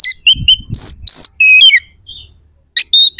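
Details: Aggressive oriental magpie-robin song with rough, sharp imitative phrases, played to make opposing birds fight: loud harsh buzzy bursts, a clear whistled phrase, a short pause, then a few high notes.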